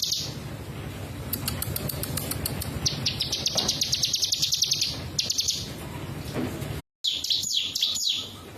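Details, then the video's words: Mountain prinia song: a run of high, sharp ticking notes leading into dense buzzy trills, then a brief gap and more fast chattering notes over a steady low hum. "Suara burung ciblek gunung"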